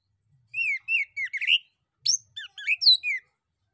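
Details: Orange-headed thrush male singing as a lure for other birds to answer: two phrases of slurred whistles sweeping up and down, each about a second long, separated by a half-second pause.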